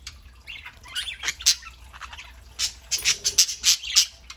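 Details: Several pet parakeets kept indoors, including a three-month-old young bird, chattering on a Saturday morning: busy squawky warbling gives way to a quick series of sharp, high chirps, with a possible wing flutter.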